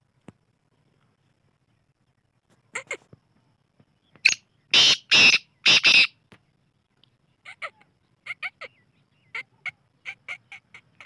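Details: Black francolin giving scattered soft clicks, then a loud phrase of three harsh, buzzy, grating notes, then a run of short sharp paired ticking notes repeated roughly twice a second; background quiet.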